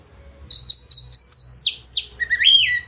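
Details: An oriental magpie-robin sings loud, rich material to set rivals singing and spreading their tails: after a brief quiet start, bright rapid whistled notes tumble downward, ending in a lower rising and falling slurred whistle.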